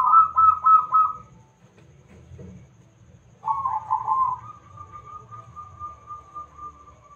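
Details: Local zebra dove singing vigorously as a lure to bring other birds into song: a rapid, bubbling series of pulsed coos, a pause, then a rolling trill that stretches into a long, level whistled note.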